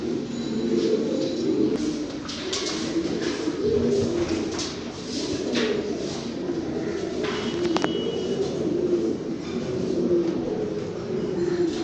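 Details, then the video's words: Fancy pigeons, domestic breeds of rock dove, cooing as a group: low, soft rolling coos overlap almost without pause, with scattered sharp clicks and rustling between them. "fancy pigeons"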